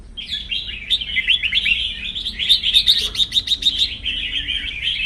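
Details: Competing in a morning song contest, a bird in fresh plumage gives an unbroken high chattering warble, with a run of sharp clipped notes in the middle.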